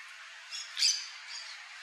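Yellow-chevroned parakeet giving a few shrill, high screechy notes, one sharp squawk louder than the rest, over a steady hiss.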